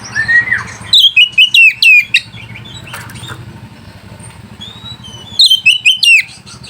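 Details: White-rumped shama song to provoke rival birds and arouse mating: a low slurred whistle, then loud rapid sharp descending notes, a quieter stretch with steady low background hum, and a final burst of fast whistled notes.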